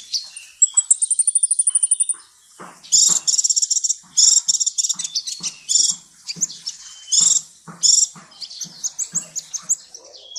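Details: Lively sunbird song, used in Indonesia to tutor caged songbirds, opens with a rapid, even high trill. Dense, buzzy bursts of very high chattering notes follow, broken by brief pauses, with faint low clicks underneath.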